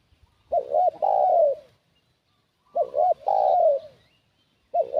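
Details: Spotted dove used as a decoy to lure wild doves: two low cooing phrases about two seconds apart, each a pair of short hooting notes followed by a long, slightly falling coo, with a third phrase starting at the end.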